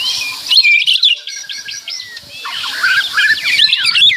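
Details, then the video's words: A white-rumped shama sings with a series of short repeated whistled notes, then a burst of fast, tangled chirping and slurred whistles, loud and busy throughout. "Suara Kicauan Keras Murai Batu Meriah Full Isian"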